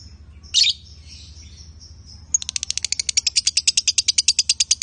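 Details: A pair of lovebirds, male and female: a single harsh squawk, a soft pause, then a rapid train of sharp high chips building in loudness over a constant low hum.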